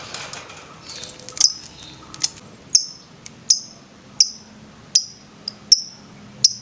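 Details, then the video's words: Master recording of a lovebird for training birds, ngetrek style: shrill, clipped high chirps repeated at fairly even intervals under a soft background hiss. "MASTERAN LOVE BIRD NGETREK"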